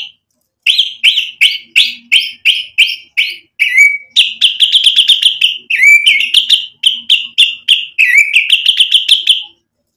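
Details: White-rumped shama in full song, played to provoke an answering bird: sharp clipped notes repeated about twice a second, then a quicker rattling run of similar notes broken by short slurred whistles.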